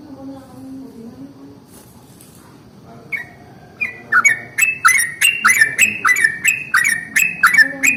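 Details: Yellow-vented bulbul's long rolling song in the morning, used to provoke other bulbuls to sing. A faint low warble opens, then from the middle come rapid, loud, liquid notes, almost two a second.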